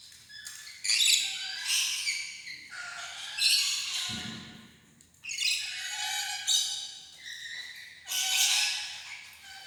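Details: Rainbow lorikeet chatter with repeated harsh, grating squawks in groups of two or three, separated by short pauses, and a faint low thump midway.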